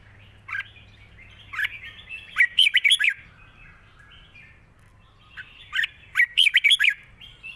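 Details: Red-whiskered bulbul delivering a long song with 'rik' notes in wild-style phrasing: two bouts of rapid, bright warbled chirps, each about a second long, separated by softer slurred whistles.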